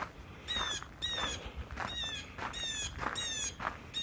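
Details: Two blue jays in trees beside the Albany-Hudson Electric Trail, New York, giving a rapid run of harsh, nasal jeer notes, about two per second, over faint rustle and outdoor hiss.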